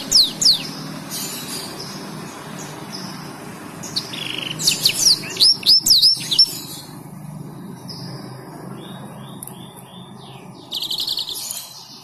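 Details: Black-throated canary singing as a master recording for training other canaries: scattered bursts of high slurred whistles and quick chirps separated by quieter pauses, with a brief buzzy trill near the end over low background hum.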